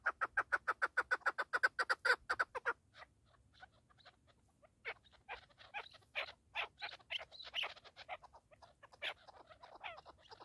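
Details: Partridge giving a fast, even train of clipped chuck notes for about three seconds, then scattered, rougher, irregular notes after a short pause.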